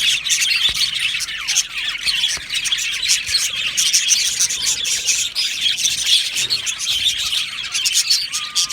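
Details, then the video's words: Cheerful chirping from a budgerigar colony kept in an aviary. Many birds overlap in a busy stream of high twittering, with quick rising and falling chirps and occasional sharper squeaks standing out from the chorus. "Happy Budgie birds chirping sounds"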